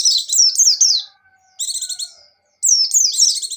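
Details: Buxtoni white-eye kept in a cage, singing its energetic ngecir song: dense runs of piercing, high-pitched twittering whistles that rise and fall quickly, delivered in three outbursts with one brief gap and a faint lower note.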